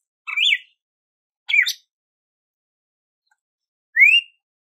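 A red-cowled cardinal gives three clear whistled phrases, bright and slurred, the last a rising note, spaced about a second or two apart.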